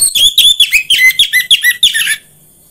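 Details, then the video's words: Song of an orange-headed thrush, used to stimulate home-kept birds to sing: a fast, continuous stream of rich whistled notes, each a short rising or falling slur, pouring out for two seconds before stopping abruptly. "PANCINGAN AMPUH UNTUK BURUNG DIRUMAH UNTUK SEGALA JENIS ANIS MERAH SUAPAYA CEPAT GACOR"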